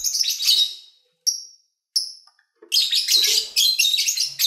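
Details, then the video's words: Pet lovebirds recorded while eating, singing and playing: dense bursts of high, scratchy chirps and twitters, a long chattering run at the start, two short sharp chirps, then a busy stretch of overlapping squeaky chatter at the end. "Lovebird Sounds"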